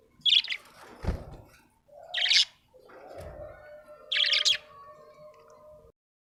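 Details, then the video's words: Happy budgerigar giving three short bright chirp bursts about two seconds apart, over soft knocks and a steady low humming tone in the background. "Happy budgie chirping sound"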